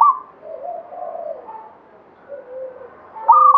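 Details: Local Zebra dove of Banyumili katuranggan, actively singing: soft wavering low coos trail off into a pause, then a sharp louder rolling phrase begins at the end.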